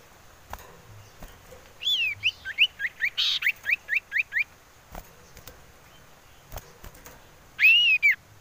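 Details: Wild female common iora call used to attract birds: a run of about ten short, slurred whistled notes in quick succession, each dropping in pitch, then a single longer arched whistle after a pause.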